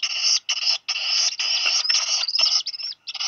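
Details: On Seal Island National Wildlife Refuge, Maine, USA, two Black guillemot chicks, hatched in late June, squeal after one drops a fish on 8 July 2020. Long rasping, broad-toned screeches run in runs of a second or less.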